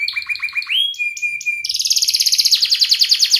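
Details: Canary training song for young birds: quick descending chirps, a rising whistled slide into a flat tone, then a fast pulsing high rattle-trill, all bright and loud.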